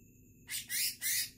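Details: A still-wild, freshly caught greater green leafbird gives three harsh, rasping, high-pitched notes in quick succession, each about a quarter-second long. A faint steady tone hums underneath.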